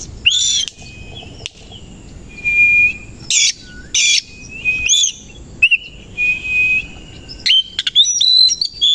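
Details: Oriental magpie-robin, koci type, singing hard in the morning with its tail opened, its song used to provoke rivals; harsh scratchy bursts, level whistles and looping whistled phrases come in quick succession.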